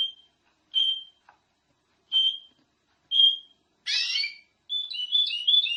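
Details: Canary song from a master recording used to teach other canaries. A few evenly spaced high whistled notes are followed by one loud harsh buzzy burst, then a fast warbling trill of rising and falling notes.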